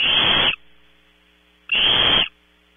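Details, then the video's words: Barn owl owlets in a nest at Audubon Starr Ranch, California, competing for prey delivered around 3 a.m.; two harsh, hissing screeches, each about half a second long, separated by a pause of over a second. "Competition for and eating of 0300hr prey, #5 looks for scraps - Audubon Starr Ranch Barn Owls"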